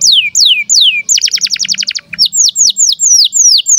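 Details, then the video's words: Breeding-condition canary chirping, a tutor recording for young birds: sharp down-slurred whistles, a quick burst of buzzy repeated notes, then a string of clear falling slurs at a brisk pace. "KENARI GACOR Cuit CUIT BIRAHI UNTUK PANCINGAN & MASTERAN Kenari PAUD AGAR BUNYI DAN NGEROL"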